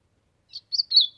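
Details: Ultramarine grosbeak warming up its song, sertão setting: three or four short high whistled notes, the last one drawn out and slightly falling, in otherwise quiet surroundings.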